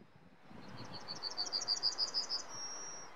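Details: Male yellowhammer: a fast string of high, clipped, evenly spaced notes swelling in loudness, finishing with a sustained thin high tone, set against a low background hum.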